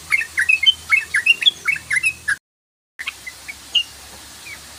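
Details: Yellow-vented bulbul in fast 'ropel' lure song, a dense burst of bubbling, warbled notes for about two seconds, then a brief silent cut and a few scattered softer chirps.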